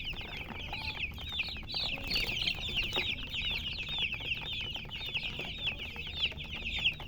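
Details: Chicken chirping, quick high downslurred peeps repeated irregularly, roughly one to two a second, from several birds overlapping, with a soft low hum and an occasional tap in the background.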